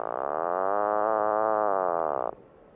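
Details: Puffin producing one loud, sustained, buzzy groan lasting over two seconds, steady in pitch and cutting off abruptly.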